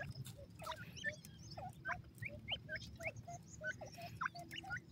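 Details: Feeding black francolin chicks, Sindhi teetar, in their wild habitat: quick, high, sharply rising peeps, roughly two or three each second, against a low background rumble.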